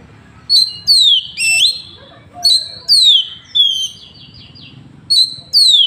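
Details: Oriental magpie-robin in Woncoyo village, Trenggalek, Indonesia, filmed on an Android phone: loud sweeping whistles, mostly falling, delivered in separate bursts about every second, with one buzzy trilled phrase; low rumble and faint noise behind.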